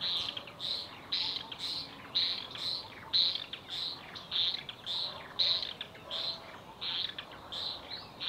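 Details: White-rumped swift screaming from its nest entrance to ward off other swifts trying to enter, likely during incubation; loud, high, harsh screams repeated in quick rhythmic bursts about every half second throughout.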